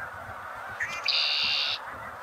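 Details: Red-winged blackbird giving one song: a short note or two, then a loud, rasping, buzzy trill held for about three quarters of a second, against constant background hiss.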